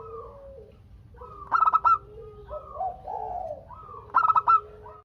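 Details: Local zebra dove in strong voice, used as a lure to get other doves calling back and forth: two bursts of four quick, bright, stuttering coo notes, with softer, lower drawn-out cooing from other doves in between.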